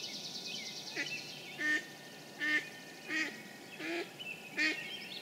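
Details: Mallard in spring, 9 May 2013, Sudbury, Massachusetts, giving six harsh, nasal quacks about every 0.7 seconds; a high buzzy trill opens over a faint steady hum, with rain, toads and songbirds around.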